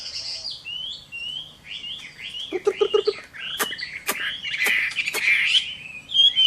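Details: Chinese hwamei singing its fighting song at midday in summer, softer slurred whistles, a brief low pulsed rattle, several sharp clicks, then louder looping warbles and a final high whistle.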